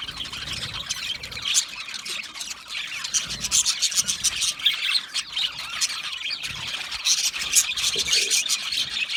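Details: Aviary full of budgerigars, an unbroken chorus of overlapping high-pitched chirps, squeals and chatter from many birds, steady throughout with faint low background noise.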